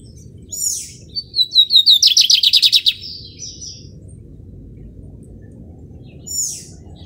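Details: A native Lined Seedeater (talismã) singing in the "Melodia" song style: a high, bright phrase of a few sharp chirps, then a fast run of about a dozen ringing notes, over a soft low background hum.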